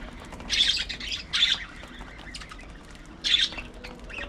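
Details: Three loud, rasping squawks from pet budgerigars, each about a quarter-second long, separated by pauses, with faint chatter in between.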